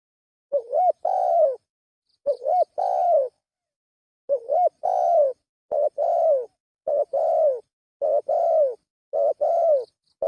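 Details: Spotted dove lure call with low soft coos: a few three-part phrases with a wavering start and a long coo, then faster paired coos repeated about once a second.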